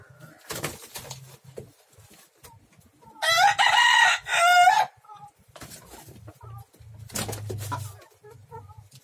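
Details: One of three roosters fighting gives a loud, harsh crow of about one and a half seconds, stuttered and then sustained, amid scuffling, wing flaps and short clucks before and after.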